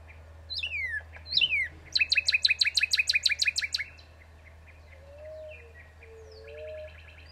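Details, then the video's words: Northern cardinal song: two loud whistled notes slurring steeply downward, then a fast, even run of about a dozen clipped repeated notes. Soft low whistles from another bird follow, over a steady low hum. "Bird sounds northern cardinal sounds"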